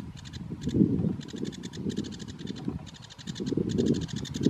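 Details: Sedge warbler at Biebrza National Park, Poland, 15 May 2015, giving a fast, scratchy chatter of repeated high notes in bursts, over a steady low rumble of wind or distant noise.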